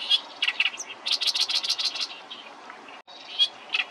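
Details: Oriental reed warbler singing, pieced together from short fragments: loud, harsh, chattering notes in quick rapid bursts, several grating phrases repeated in a run, with a brief gap before more scratchy notes.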